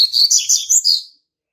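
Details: Double-collared seedeater, a young male born March 2019, marking territory with one loud, high, warbling phrase of five or six quick slurred notes that ends abruptly.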